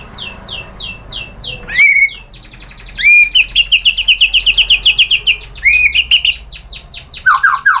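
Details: White-rumped shama lure song to rouse a competitor: sweeping downward notes, then rising whistles leading into a long rapid series of clear repeated chips and closing trill.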